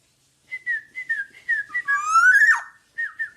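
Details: Black-naped oriole in vigorous song for tutoring other birds: a string of short falling whistled notes, interrupted midway by one loud harsh rising sweep, then more whistles.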